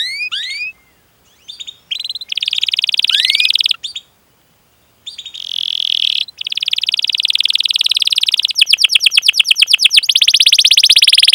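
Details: Vigorously singing canary with cuit-cuit calls and rolls, used to prompt other canaries to sing; bright rising whistles and buzzy trills come in bursts separated by abrupt silent gaps, ending in a long rapid roll of repeated notes.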